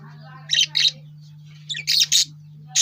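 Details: Lovebird chirping: short, harsh, high-pitched chirps in bursts, two close together, then a rapid cluster of three, then another, over a steady low hum.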